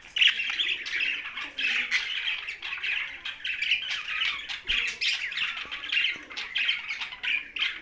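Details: In Larkana, Sindh, budgerigars kept alongside parrots chatter without pause, with rapid squawky chirps pulsing in short bursts about every half second over a constant warbling background.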